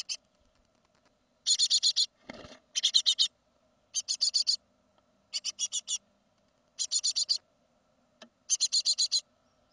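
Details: Fledging great tits of a second brood, 2016: repeated bursts of rapid, scratchy, hissing chirps, about six per burst, spaced by roughly a second of quiet, with one brief low rustle.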